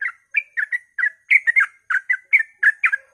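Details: Dawn song of a sooty-headed bulbul, played to stir other bulbuls to sing: quick liquid chirping notes in tight clusters, some slurred and rising, following one after another at a brisk irregular pace.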